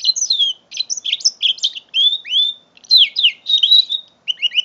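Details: Song of a young mule canary, five months old, recorded on 21 November 2011 with an Android phone: a continuous bright warble of fast slurred whistles, downward sweeps and short clipped notes in quick bursts, with brief pauses between phrases.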